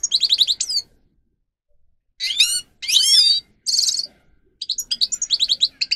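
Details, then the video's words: Song of a grey-crowned goldfinch for teaching captive birds: a rapid trill, a silent gap, then a buzzy burst, a rising whistled phrase, a harsh rasping note, and a closing fast twittering trill. "Goldfinch song Best for training"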